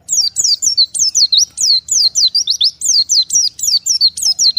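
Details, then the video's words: Oriental white-eye, apart from the flock and calling to others: an unbroken string of bright, high chirps, each dropping steeply and curling back up, about four notes per second. "BURUNG PLECI MEMANGGIL LAWAN TERPISAH DARI KOLONI"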